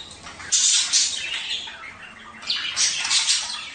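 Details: Budgerigar warble to stimulate mating: two loud clusters of scratchy, high buzzing chirps separated by a quieter second of softer twitter.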